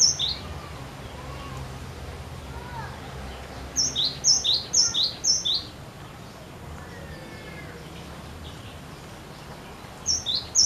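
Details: Cinereous tit singing persistently to prompt other birds to sing: a burst of four high, thin two-note phrases, each a sharp upper note dropping to a lower slurred one, about two per second, then quiet, then another short burst near the end.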